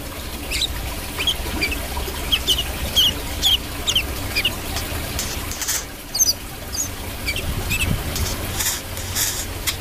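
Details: Brown-throated sunbird song in gacor style: scattered high, squeaky chirps in short clusters, with noisy hiss and rustling bursts between them.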